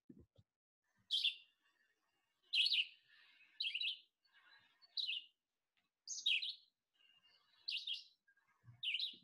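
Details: Red-eyed Vireo singing during spring migration: short, slurred, robin-like phrases, each about half a second, repeated roughly every 1.3 seconds with brief pauses. Faster and less clear than a Blue-headed Vireo, with a few low thumps at the edges.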